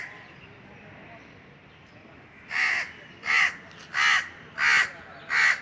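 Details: Quiet at first, then five harsh Indian crow caws from a treetop, evenly spaced about two-thirds of a second apart, recorded on a hot summer day.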